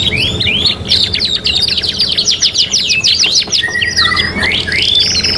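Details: Canary (kenari) song from a three-in-one training recording: quick rising whistled notes open into a long rapid trill of repeated syllables, then drawn-out falling and rising slurred whistles near the end.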